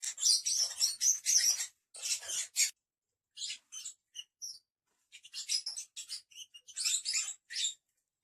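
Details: Lovebirds calling with dense, high-pitched chirps and squeaky twitters in rapid bursts, pausing briefly mid-way before another run of sharp, scratchy notes.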